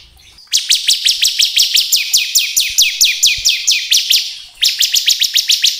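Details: Bar-winged prinia, the crystal ciblek type, singing as a lure to provoke other birds: a long, loud, rapid series of high, downward-sweeping ticking notes, about four a second, pausing briefly once and then resuming.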